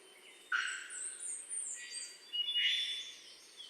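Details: Black-faced Solitaire in a foggy western Panama cloud forest, harmonizing with itself using both sides of its syrinx: high, ethereal whistled notes with metallic, bell-like tones, some gliding up and down, in two phrases over a soft background hiss.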